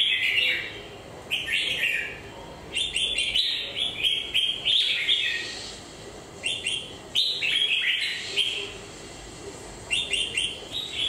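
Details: A red-whiskered bulbul with a moulting beak sings clusters of crisp, slurred whistles in bursts of about a second, separated by short pauses, the pattern recurring through eleven seconds.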